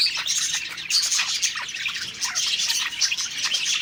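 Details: A group of budgerigars sings happily while feeding, producing a steady stream of bright, high-pitched tweets and scratchy warbles layered thickly over one another.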